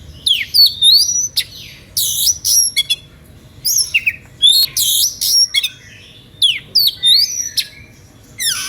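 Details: An emotional, showy Oriental magpie-robin song used to provoke other magpie-robins into answering; bursts of bright, piercing whistles and buzzy notes repeated rapidly, about three phrases a second, with short pauses.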